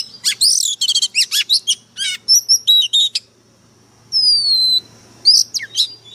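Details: Oriental magpie-robin decoy bird in hard, fiery song: rapid series of loud sharp chirps and trills, short whistled phrases, a long falling whistle, then more chirps.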